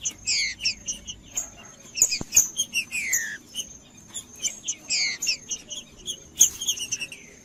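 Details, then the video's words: Singing green-winged saltator, audio meant to warm up a cold bird kept by tournament breeders: busy, chopped whistled phrases with short sweeping notes in irregular clusters, a steady high-pitched tone running underneath. "TRINCA FERRO CANTANDO"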